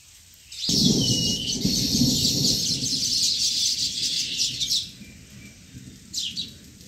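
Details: Sparrow calls at the nest: a loud, thick chorus of chirps and twitters starts abruptly and carries on for about four seconds under a low rumbling background, followed by a brief later chirp.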